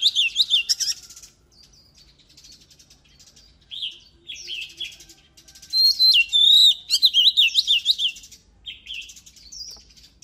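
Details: Oriental magpie-robin singing loud, varied phrases of sharp whistles and quick rising and falling notes, delivered in bursts separated by brief pauses; clean recording with no other sounds.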